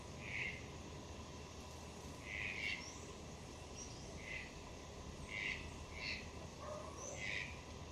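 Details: Young great kiskadee, a fledgling living free in a garden, gives a series of short raspy squawks, roughly one each second, with brief higher chirps between them and faint lower sounds near the end over steady background noise.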